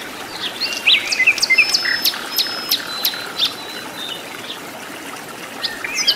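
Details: Sikatan londo flycatcher singing in the wild: quick bursts of high, short chirps and thin whistled strokes, densest early on, then spaced notes fading into soft natural ambience with faint insect hum.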